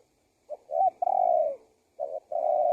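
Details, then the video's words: Low mellow cooing of a spotted dove, used as a lure to make other doves call and bring wild ones close: a short note, a drawn-out falling coo, then two more hoots after a pause. "SUARA TEKUKUR GACOR PALING AMPUH UNTUK PIKAT BURUNG LIAR"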